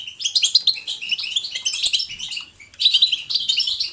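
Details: European goldfinch giving a natural, lively song selected to encourage a pet goldfinch to sing; a dense, rapid stream of bright twittering and tinkling notes with scratchy trills, running almost unbroken apart from a brief pause before resuming.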